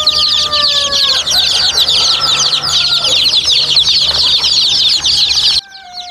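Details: A flock of baby chicks keeps up a loud, unbroken mass of shrill peeping, with faint steady tones running underneath, before the chorus cuts off abruptly near the end.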